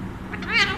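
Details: Pet Alexandrine parakeet, called an Indian Pahadi parrot, kept at home in India and being offered food, gives a single short harmonic squawk that rises then falls, under a second long, over steady low room hum.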